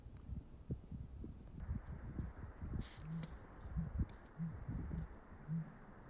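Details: A grouse in the Cascade Mountains, Washington, gives deep, soft hoots, five short ones spaced about half a second to a second apart, over low rumbling wind and handling noise.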